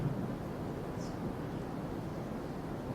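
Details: Steady wind buffeting the microphone with a low engine-like rumble throughout and no animal calls.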